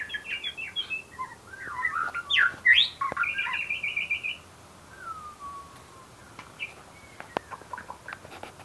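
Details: White-rumped shama in full song, a fast run of sharp chirps, trills and a rapid rattling series, then a long descending whistle and scattered softer notes with clicks.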